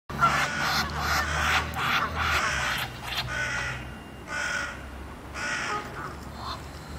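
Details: Egyptian geese mating in February 2017, giving harsh, rasping honks in dense bursts over the first three seconds, then spaced single outbursts, over a low background rumble.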